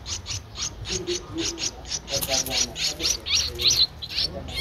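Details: Streak-eared Bulbul chick aged 13 days, Ubon Ratchathani, Thailand, April 2023; a quick steady run of sharp, hissy high chirps, slightly louder and more ragged toward the end, with soft low murmurs underneath.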